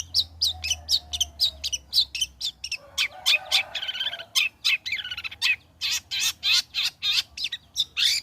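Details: Long-tailed shrike, singing freely after its molt, played to coax shrikes into song: a fast stream of about four harsh, buzzy notes a second, briefly giving way to a warbled scratchy passage, then resuming.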